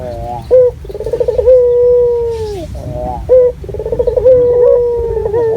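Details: Barbary dove of a local strain, recorded as a lure, calling actively: short clipped notes, then burbling tremolos stretching into long, steady hoots, two full phrases in a few seconds.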